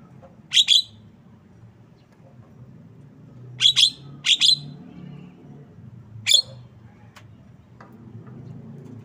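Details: Javan myna giving short, harsh, buzzy high notes, single and in quick pairs, spaced a few seconds apart over a low background hum.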